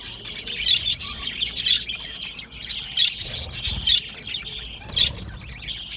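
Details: Aviary colony of Australian budgerigars: a dense, continuous high chattering of many overlapping chirps and warbles, with brighter squeaky notes standing out about once a second.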